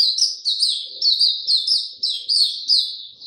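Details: Oriental white-eye named Hercules opening into song, a rapid, high, twittering warble of slurred notes in short bursts about every half second, with no other sounds.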